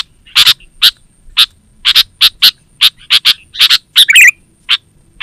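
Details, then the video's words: Sooty-headed bulbul (kutilang) call for luring and as master song for caged birds; separate sharp chirps, single or paired, spaced irregularly, with one short bubbly warble near the end, quiet background. "Suara Burung KUTILANG GACOR Terbaik Untuk Panggilan dan Masteran"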